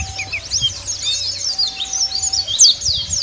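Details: Dakun Bali white-eye calls from the wild aimed at rivals: thin, high twitters and quick downslurred whistles packed closely together, a few brighter notes near the end, with a faint steady tone in the background.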